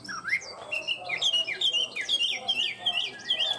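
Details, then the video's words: A tame Chinese hwamei kept in a cage sings rich, varied whistles, with upward-swooping notes and quick looping trills tumbling one after another without pause. "Chim họa mi thuần hót tốt"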